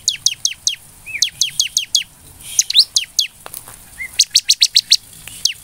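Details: Bar-winged prinia lure song meant to provoke birds: high, down-slurred notes repeated in quick series. Short upward whistles and faint other chirps sound between the series.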